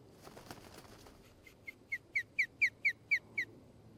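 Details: An osprey at a nest near Charlo, Montana, 23 September 2018, late morning, gives about nine sharp, high, slightly descending whistled chirps, building in loudness at roughly four per second, over faint rustling.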